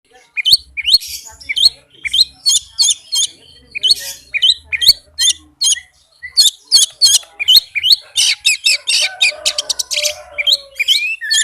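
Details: Oriental magpie-robin in fast, dense 'speed rapat' song used as a lure to get reluctant magpie-robins singing: rapid chains of sharp, high chirps and buzzy notes, ending in a quick trill and scratchy phrases.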